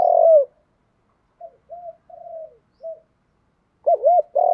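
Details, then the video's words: Spotted dove giving Thúc Đấu style calls intended to excite wild doves. A long falling coo is followed by soft, brief murmured notes, then a loud pair of hooked coos runs into another sustained coo. "Tiếng chim cu gáy Thúc Đấu gáy gọi kích bổi cực nhạy"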